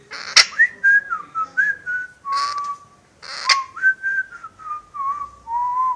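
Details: Pet parrot known for wolf whistles and whistling a marching song from a film, whistling only briefly from stage fright: a whistled tune of clear sliding notes, falling and rising, in two phrases, broken by short harsh squawk bursts.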